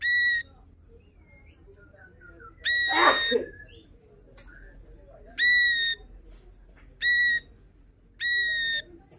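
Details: Chatty ashy drongo showing off its repertoire as a master recording for songbirds: five bright, stacked nasal notes, each under a second, spaced irregularly, with a harsher burst early on and low background hiss.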